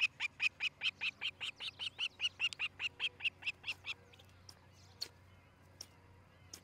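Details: Osprey calling from a nest watched by a camera in Charlo, Montana, on a July 2018 morning, where a pair nests. Around seventeen shrill, evenly spaced piping notes over four seconds, then quiet with faint distant birds.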